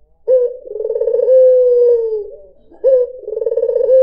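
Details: White dove (puter putih) song used as a lure for other birds: a low cooing phrase opening with a sharp note, then a rolling purr that eases into a long, smooth, slightly falling coo. The phrase begins again after about two seconds.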